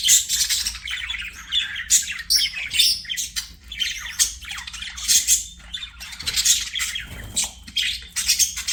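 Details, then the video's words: Singing budgerigars at play, mixing harsh squawky notes with buzzy chatter and squeaks in repeated bursts that rise and fall in loudness. "BUDGIES SINGING PLAYING"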